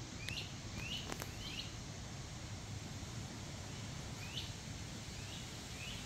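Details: Great Crested Flycatchers calling in sycamore trees at Black River Reservation, Sheffield, Ohio, on 10 August 2024: short, rising whistled wheep notes, about six in six seconds, over wind rumble and rustling leaves.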